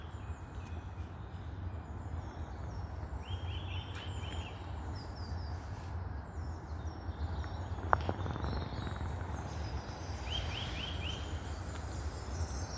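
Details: Wild birds singing in Queen's Inclosure Woods: two short, rapid trilled bursts of four to five notes, mid-clip and near the end, with faint high chirps over a steady low rumble of background noise.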